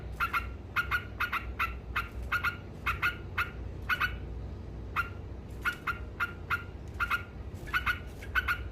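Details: Sooty-headed bulbul ngekek song: bursts of short, buzzy, repeated chatter notes, some rapid runs of four or five, against a low background rumble.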